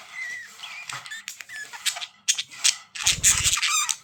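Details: Loud budgerigar chatter with wavering whistles and clicks, overlapped by a brief rapid low rattling or tapping noise partway through.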